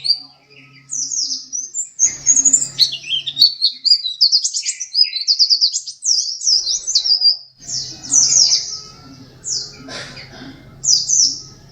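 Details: Pleci dakun white-eye, a contest second-place bird, singing long tumbling sequences of high squeaky chirps and slurred notes, with a steady low hum underneath.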